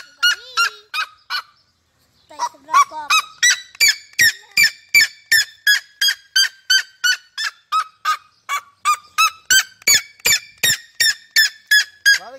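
Red-legged seriema giving a loud series of harsh, yelping notes, nearly three per second, with one brief pause before it resumes.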